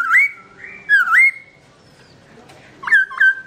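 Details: Black-throated laughingthrush (Garrulax chinensis), owner away, gives rich looping whistles, then a pause and two short, loud upslurred notes.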